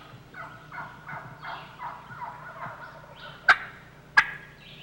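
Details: Wild turkey gobbler in a valley in spring, accompanied by hens: a rolling, rattling run of throaty gobbling notes over about three seconds, followed by two sharp loud clicks.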